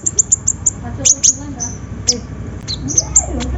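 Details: Kolibri ninja sunbird, lure recording meant to prompt singing: a series of sharp, very high-pitched chirps and short whistles, some falling in pitch, spaced irregularly over faint lower warbling and background noise.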